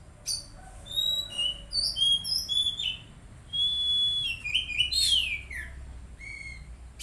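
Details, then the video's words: Oriental magpie-robin song used to coax untrained birds into singing: short whistles, then a sustained pure whistle and a run of slurred, falling notes near the end. "Terapi Kacer Bahan Agar Cepat Bunyi"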